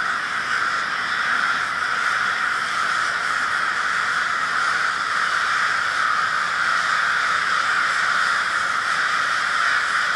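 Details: Winter gathering of many crows in Minneapolis, Minnesota, recorded February 20, 2020. Raucous cawing from numerous birds merges into a steady, continuous roar of rasping calls that holds at an even loudness throughout.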